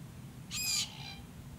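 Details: Glossy Black-Cockatoo, South-eastern subspecies Calyptorhynchus lathami lathami, recorded up close at its Kings Tableland foraging area in the Blue Mountains, New South Wales, Australia, in 2022. One loud, rich, harmonic squawk lasting about a third of a second, with a fading tail.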